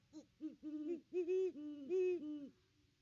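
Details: Great Horned Owl pair at their nest tree on Christmas Day 2021, the female hooting as she watches around it: a quick run of six or seven deep, soft hoots, some overlapping as if both birds call, over about 2.5 seconds.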